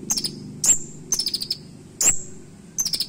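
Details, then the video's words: Purple-throated sunbird, called kolibri ninja, giving brief sharp song fragments: high, thin piercing notes and short stuttered chip runs, spaced unevenly across a few seconds with a low rumbling hum underneath. "KONIN ISIAN TAJAM DAN NEMBAK COCOK UNTUK MASTERAN"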